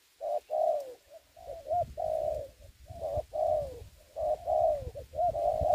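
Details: Spotted dove kept as a ground decoy for trapping during the Covid-19 season, cooing in repeated mellow phrases of three to four notes. Each phrase ends in a long, slightly falling coo, with short pauses between phrases and low rumbling underneath.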